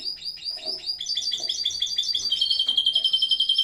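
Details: Canary in a home aviary at the height of breeding season, singing a bright, rapid trill. Quick repeated chirps rise into a steady, ringing roll of high notes near the end.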